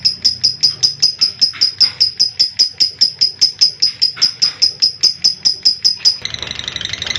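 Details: Unedited lovebird ngekek recording meant to prompt lazy young and adult birds to sing: a steady six-second run of piercing, evenly spaced high chirps, roughly four per second, ending in a brief rough, noisy chatter.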